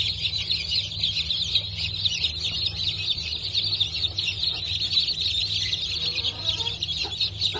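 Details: Newly hatched Brahma and Wyandotte chickens from 19.10.2024 fill the air with incessant shrill peeps, a dense high chorus, while a few faint lower sounds and a steady low hum sit beneath.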